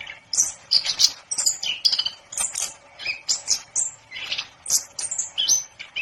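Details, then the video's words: Orange-headed thrush (anis kembang) sings a lively, nonstop stream of high chirps, whistles and twittering notes with brief pauses between phrases. "10 Burung Anis Kembang Yang Super Gacor"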